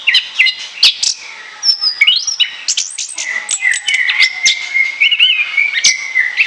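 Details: Lure recording of an orange-headed thrush singing loudly and continuously in ngoceh ngeplong style. Quick chips and upward-sweeping whistles give way to a long, steady warbling phrase held at one pitch, ending in bright twitters.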